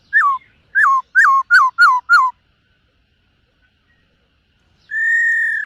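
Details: Black-throated laughingthrush in morning song training, múa style: six quick down-slurred whistles in a tight series, a silent gap of over two seconds, then one long steady whistle.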